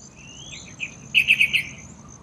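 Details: Yellow-vented bulbul bathing at a small courtyard water pool near a workplace: a quick run of four bright, chattering notes, evenly spaced and of equal loudness, after softer chirps, over a steady high insect whine.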